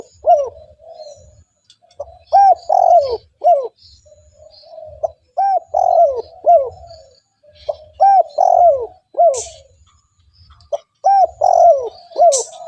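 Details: Spotted dove call meant to lure other wild doves, in repeated phrases of three bold downward-hooked coos followed by a soft drawn note, separated by quiet gaps; sparse faint chirps and one sharp high click.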